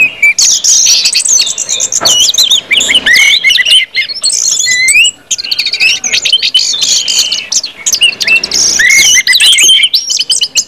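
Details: Orange-headed thrush singing ngeplong, used to prompt other birds into song: a long, continuous run of high, varied whistles, trills and sharp chirps, with a short lull near the middle.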